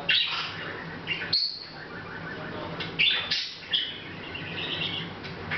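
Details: A Hahn's macaw muttering to itself unnoticed, August 2012; sharp whistled squeaks and short scratchy chirps in small bursts separated by quieter moments, with faint hum throughout.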